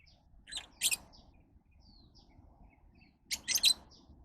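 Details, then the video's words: Lovebird giving shrill, raspy chirps in two clusters about three seconds apart, with soft high twitters between them over a low background hum. "Love birds Sounds"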